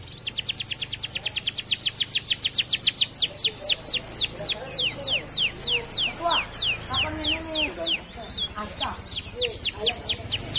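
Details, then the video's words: Canary singing a long series of rapid downward-slurred whistles, slowing slightly midway, with some faint speech and lower murmurs in the background. "kanaryaların cıvıltıları"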